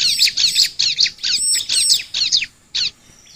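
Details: Bar-winged prinia (Prinia familiaris) sings rapid bursts of harsh, buzzy high notes, each burst about a third of a second, repeated in quick succession; a song used as a lure to quickly stimulate other prinias to sing.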